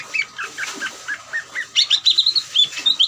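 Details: Trilling ngeriwik song of a greater green leafbird, meant to rouse other leafbirds into aggressive, frequent singing; hurried chattering notes building into a fast run of bright, high chirps, with a constant hum behind.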